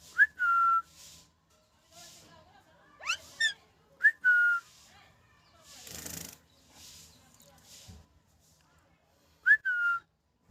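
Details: A rescued ringneck parakeet kept indoors, described as very happy, gives short clear whistles that rise and then level off, plus a sweeping squeal, with soft rustling and background noise in between.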